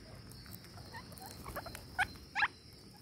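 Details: Green parakeets at feeding time give short squeaky chips scattered through the clip, with two louder, sharper notes near the end, over a steady background hiss.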